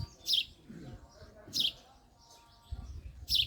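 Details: Male house sparrow chirping: three loud, sharp, high chirps spaced over a few seconds, with softer background noise between them.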